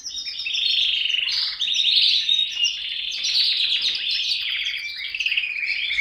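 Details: Canary in continuous full song, a dense mix of rolling trills and rapid warbling notes held without pause for several seconds.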